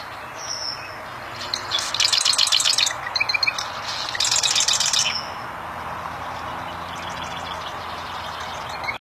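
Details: Bar-winged prinia in the wild giving short bursts of fast, high, rattling repeated notes, with a brief thin whistle at the start and a quieter steady background hum between phrases.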